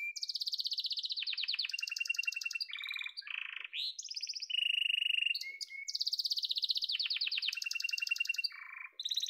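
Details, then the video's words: Continuous song of a yellow domestic canary: long series of fast repeated trills, some high and clear, some lower and rattling, broken by quick rising whistles and sweeping notes, with no background noise. "Muhteşem Kanarya Sesi: Sarı Kanarya'nın Efsanevi Ötüşü"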